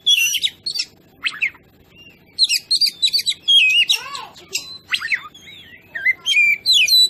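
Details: Actively singing oriental magpie-robin used to rile up other birds: fast varied medley of whistles, rasps and slurred notes in close bursts with brief pauses.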